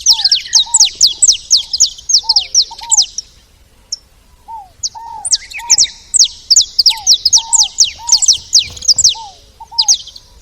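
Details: Saffron finch at a feeding spot: rapid high, sharp down-slurred chirps, about two per second. Lower arched whistles recur throughout, with a short quiet gap near four seconds.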